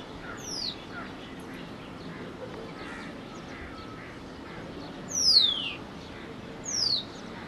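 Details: White-browed wagtail (Motacilla madaraspatensis) at Valparai gives three thin, high, sharply falling call notes, spaced a few seconds apart, over a steady background hiss.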